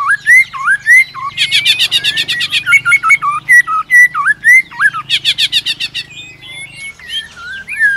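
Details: Competitive song of a white-rumped shama stirred by another shama, with tail flicks and clicks; rich looping whistles alternating with two bursts of fast rasping notes, low hum in the background.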